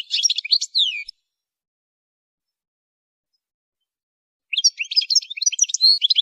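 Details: European goldfinch, a female per the description, kept for training songbirds: a second of quick tinkling twitters with a falling slur, a long silence, then another busy burst of jingling notes.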